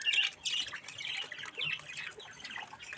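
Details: Baby budgerigars at play in front of a mirror keep up a steady, quiet stream of high chirps and scratchy squawks.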